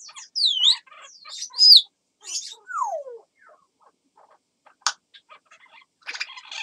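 A grey parrot copying a crow's sounds: bright chirps and whistles, a long falling whistle, a sharp click, then a harsh buzzy burst at the end.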